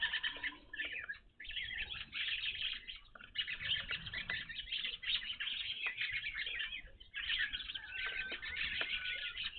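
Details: Evening grosbeaks at a backyard feeder, new to this spot: busy, nearly continuous chirping from several birds at once, clipped bright notes piling together, with a short lull near one second and faint knocks underneath.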